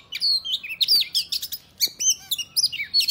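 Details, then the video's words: Close, loud Oriental magpie-robin fighting song, used to make other males open their tails: quick succession of clear whistles, rising and falling slurs and scratchy notes, packed tightly with barely any gaps. "Kacer gacor tarung ngobra dijamin Kacer lain langsung ngeplay Buka Ekor !!"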